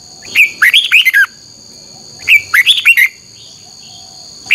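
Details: Red-whiskered bulbul morning song in the twisted double-voice style, used as a lure to train other birds: two quick bursts of five or six bright, warbled, rising-and-falling notes, then the start of a third, over a steady high electronic whine.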